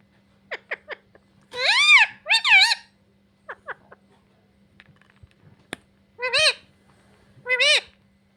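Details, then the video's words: A pet parrot speaks the words "mummy papa": a few quick clicks, then two paired, wavering harmonic syllables, and later two more separate drawn-out voiced syllables, with quiet pauses between. "मम्मी पापा बोलने वाला तोता"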